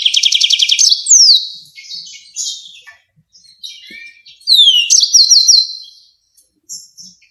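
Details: Yellow-fronted canary in 'ngerol nembak tajam' style, a rolling, sharp song used to tutor songbirds: opens with a fast buzzy trill, then scattered whistles and slurs with short gaps, and a later burst of repeated downward-sweeping notes.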